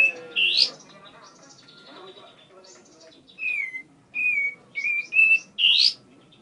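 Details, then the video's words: A tame bar-winged prinia opens with a rasping buzz, pauses, then gives a run of short whistled notes ending in another harsh buzz. "Burung Ciblek Gacor Jinak"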